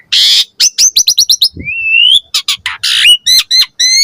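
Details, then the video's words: Javan pied starling song used as a lure and training model for young starlings: rapid varied mix of harsh rasping bursts, clipped chirps, a rising whistle and repeated upward-hooked notes, loud and clean with no other sounds. "Pancingan Jalak Suren Auto NYAUT RESPON Mompa Gacor Full Isian Buat Masteran Suara Burung Jalak Muda"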